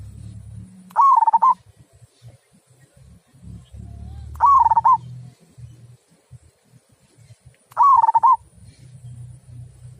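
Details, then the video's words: Local perkutut zebra dove with a big, clear 'kung' voice: three short cooing phrases, each a fast run of pulsed, slightly falling notes, repeating about every three and a half seconds over faint low rumbling. "Mp3 Perkutut Lokal Suara Kung"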